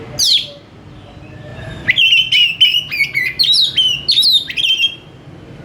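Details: Oriental magpie-robin in "gacor" song: a high downswept note, then a long quick run of clear whistled notes with sharp upward flicks, over faint background hum.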